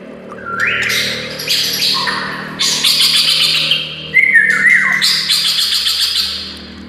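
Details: White-rumped shama song used as a master recording to train other shamas: rich varied phrases of clear rising and falling whistles broken by fast high buzzy trills, with a low steady background hum.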